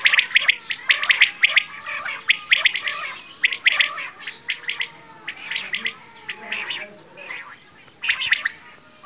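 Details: Quail calling, known locally as bedana or batair: dense bursts of short, sharp chirps and squeaky notes, several voices overlapping, coming in quick irregular clusters with brief pauses.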